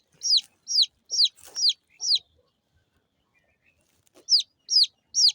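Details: Small chicken chicks give bright, downward-slurred peeps: five quick ones, then a pause of about two seconds, then three more, with a faint rustle in the middle.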